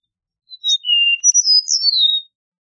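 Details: A single Eastern meadowlark song: a thin opening whistle, a lower steady note, then bright slurred whistles climbing high and sliding down, in a quiet setting.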